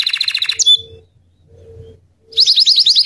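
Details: White crested Belgian canary: a brief rapid trill and upswept whistle, a pause with faint low background hum, then a fast series of high repeated chirps.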